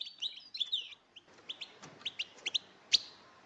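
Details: Goldfinch song used as a trapping lure: soft, scattered high chirps and short twittered phrases, slightly rising notes repeated at uneven intervals, ending with one louder sharp chip.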